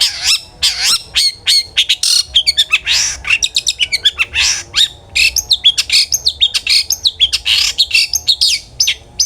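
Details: A long-tailed shrike sings without pause in the ngeplong manner, used as a lure to make other shrikes sing: fast, varied mix of chirps, rasps and twisting whistles.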